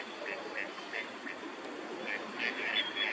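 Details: A wintering Gadwall in a park pond in Chiba, Japan, in December, giving a quick run of short nasal calls, about three a second, over a steady rumble of traffic-like noise.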